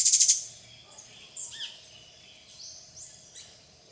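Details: Plain parakeet (Brotogeris tirica) feeding on bananas alongside tanagers and other birds at the RPPN Santuário Rã-bugio, Guaramirim, Santa Catarina: a quick burst of four shrill, scratchy high notes, then scattered thin chirps and squeaks over a faint steady hum.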